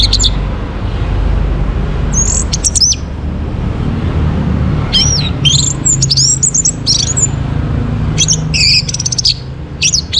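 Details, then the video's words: Orange-headed thrush singing in the morning, a recording meant to bring other birds into breeding condition and make them sing. Scattered high, sharp twisting phrases with chirps, set over a steady low rumbling hum. "Naikan Birahi ANIS MERAH pancingan PAGI HARI"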